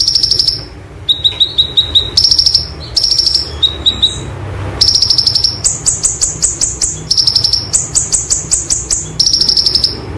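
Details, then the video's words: White-eye (konin) song used as a training master, with "roll tembak" material: very high, thin notes in quick bursts, alternating sharp whistled phrases with rapid chattering rolls, repeated every second or so, with no other sounds. "Konin Materi Roll Tembak Sejalur ‼️ Masteran Konin Gacor Roll Tembak"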